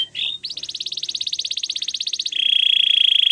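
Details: Canary training song: a short slurred note, then a fast, even, buzzy trill of high pulses that switches abruptly to a steady, piercing sustained whistle.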